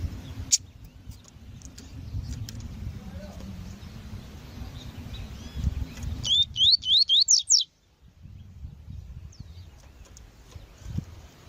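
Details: Coleiro tui-tui, a Double-collared seedeater, sings with a female calling: a quick run of about seven bright rising whistles mid-recording, with a low background rumble before and after.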